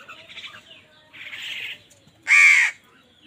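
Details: Crows competing with wild birds for food; a softer rasping call is followed by one loud, harsh caw near the end.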